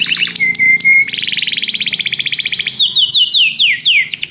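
A Belgian canary sings a loud, high, varied song: a few sharp notes, a rapid trill, then a run of quick downward-sweeping whistles.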